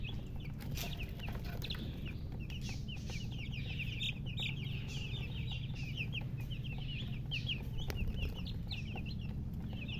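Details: Newly hatched chicks of chicken, peeping as a group: small, fast, high chirps packed closely together and continuing throughout, beneath which runs a low droning hum with scattered clicks.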